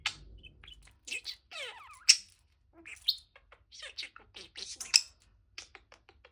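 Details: Swinging pet male budgie warbling: scattered chirps, squeaks and a descending buzzy sweep, with short pauses between phrases.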